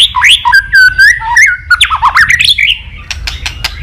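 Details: White-rumped shama giving a many-voiced fighting song, with a long steady whistle, a tumble of sweeping notes, then a series of dry clicking ticks.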